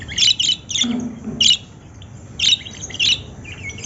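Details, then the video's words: Lovebird: high, sharp chirps and squeaky tweets in short clusters, about one burst per second with a gap in the middle, plus a brief lower murmur early on. "love birds sound"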